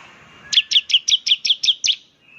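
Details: Bar-winged prinia in semi-active song, said to stir other prinias into rapid 'nembak' calling: one quick, even burst of eight sharp, high chirps lasting under two seconds.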